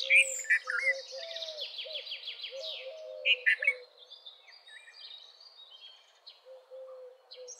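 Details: Red-vented bulbul giving loud, bubbly, slurred phrases at the start and again near 3.3 seconds, over a busy background of a fast descending high trill, other chirping birds and low soft hooting notes.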